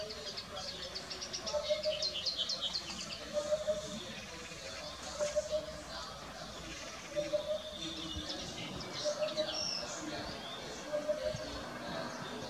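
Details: Eurasian hoopoe repeating hollow, low three-note 'oop-oop-oop' phrases roughly every two seconds, six phrases through the stretch. Higher chirps from other birds, some insect buzz and faint voices are heard behind.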